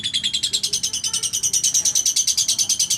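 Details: Lovebird singing in the single gestang style: a fast, even, high chattering trill of rapid pulses, about three per second bursts blending into a continuous buzzy rattle.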